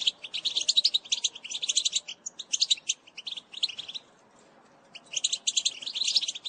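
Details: Goldfinch bitbita played to stimulate singing: long bursts of quick jingling, twittering notes, broken by a silent gap of about a second before the chatter resumes.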